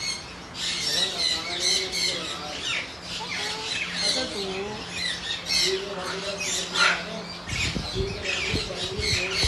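A yellow-crested cockatoo gives harsh, raspy squawks in quick succession throughout, with a low indoor hum and some faint voices or handling noise.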